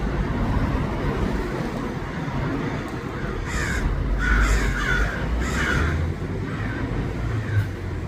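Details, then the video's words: Lots of crows in Los Angeles, a cluster of loud harsh caws midway through, earlier and later calls fainter, with heavy low-pitched background rumble throughout. "Lots of crows"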